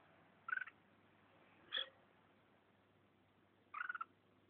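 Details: Red-whiskered bulbul in Vietnam, biting its owner's thumb, gives three short, harsh, buzzy bursts about a second apart. Two are rapidly pulsed chatters and one is a brief nasal note, over a low steady hum.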